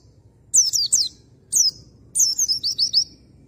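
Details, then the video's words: Oriental white-eye song used as a lure to provoke a male white-eye into singing: very high, thin, quickly descending chirps in short bursts of three, one, then six notes over a faint low hum. "PANCINGAN PLECI AMPUH !!! Bikin pleci bahan jantan cepat NGALAS NEMBAK BUKA PARUH"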